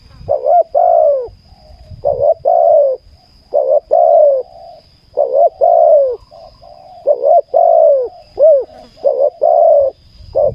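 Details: Spotted dove song from a ground decoy-luring session, with a wild bird of fine voice drawn in: a dense run of low cooing phrases, double notes and falling croons, overlapping as more than one dove calls, plus faint rustling.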